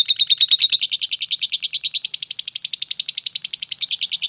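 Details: Lovebird delivering ngekek, a long unbroken trill: fast, high, chattering notes about eight per second, slightly uneven at first, then steady and sustained throughout with no pause.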